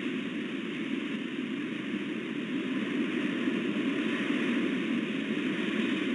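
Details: Steady broadband hiss and rumble, like distant engine or static noise, with no animal calls.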